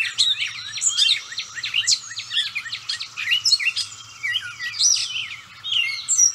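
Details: Close-range Gray catbird singing vigorously; loud, dense stream of mixed chips, squeaks, whistled slurs and scratchy notes tumbling together without a fixed pattern, over a faint low hum.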